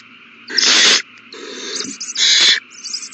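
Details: Owl chicks being fed, March 27, 2020: two loud rasping hiss-screeches with a softer, wavering hiss between them and quieter breathy sounds trailing off.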